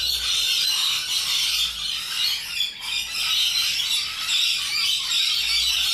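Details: A noisy chorus of wild Australian rainbow lorikeets: overlapping shrill squawks and squeals pour out steadily, with a brief dip near the middle.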